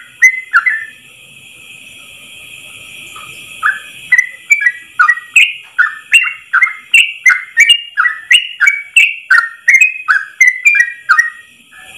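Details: After about four seconds of near silence, a Yellow-vented bulbul launches into a rapid 'ropel' song in one breath, meant as a tutor recording: steady stream of bubbly whistled notes, roughly three each second.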